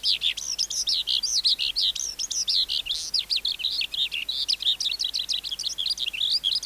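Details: A wild-caught skylark sings for training young caged birds: high, fluid warbling with longer looping whistled slurs at first, then quicker chirped notes, all delivered continuously.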